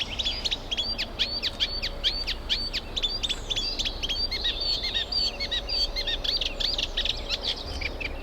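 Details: Eurasian reed warbler in song at a UK nature reserve during spring, as birds pair up and build nests; a continuous jerky stream of harsh chirps and short whistled notes, repeated in rhythmic bursts over faint low noise.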